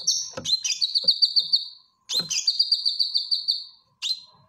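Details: Cucak kinoy bulbul, a caged bird, singing a vigorous training song: a harsh chattering note followed by a rapid, even, high trill of about ten pulses. The phrase repeats after a short pause, then a brief third burst follows.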